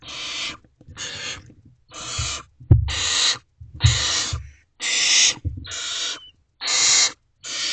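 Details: Barn owls in a nest box, 3:27 am, 12 May 2023: the male brings food and the owlets rush forward; rapid overlapping hissing screeches almost continuous, mixed with thuds and shuffling movement.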